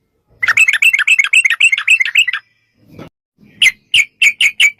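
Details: Sooty-headed bulbul giving fast 'ropel' song as a singing lure: a rapid run of clipped bubbling notes, a short pause with a soft rustle, then several sharper, well-spaced chirps.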